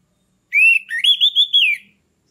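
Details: Orange-headed thrush, a captive lure singer for raising breeding condition in a stalled bird. It gives one sweet whistled phrase, dipping and then rising into a rolling, wavering series of notes before fading. The background is silent.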